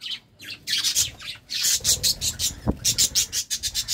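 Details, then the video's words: Pet budgies courting, producing a rhythmic series of bright, buzzy chirps in quick pulses, about four per second, with a brief low thump partway through. "Love time for budgies"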